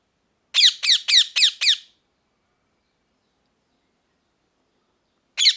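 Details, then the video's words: Five loud raspy squawks delivered fast and evenly by a parrot, then long silence before one more harsh squawk at the end. "Parrot Chirping Sounds | Natural Parrot Sounds | Parrot Calling Sounds"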